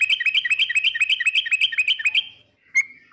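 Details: Yellow-vented bulbul giving a rapid, regular chain of bright chirped notes, roughly four per second for two seconds, followed by near silence and one lone sharp note.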